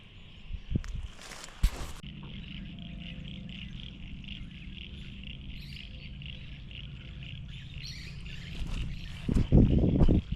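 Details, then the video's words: White-plumed Honeyeater in woodland with many dead trees at a travelling stock reserve near Barraba, NSW, giving a big call: a rapid run of bright, high chipping notes, several each second, over low wind rumble with a few knocks and handling sounds. "big call, those white-plumed honeyeaters."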